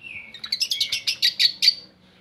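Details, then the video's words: Long-tailed shrike phrase used to prompt lazy shrikes into song: a level whistled note followed by a rapid run of about eight sharp, high chips. "Pancingan Buat Burung Cendet"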